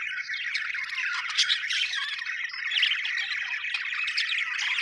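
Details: Happy budgerigars (Melopsittacus undulatus) chatter continuously with scratchy, warbling chirps and sharp squawks.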